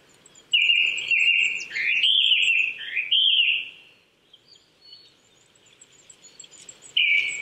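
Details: April morning at 800 m in Chichibu, Saitama, Japan, a Japanese thrush delivering a long loud whistled phrase of slurred notes, then near silence with faint high calls, and a fresh whistle at the end.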